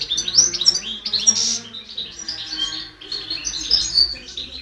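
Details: Singing European goldfinch, recorded 2010, pouring out a continuous jumble of high tinkling twitters and short buzzy notes with brief wavering trills, almost without pause.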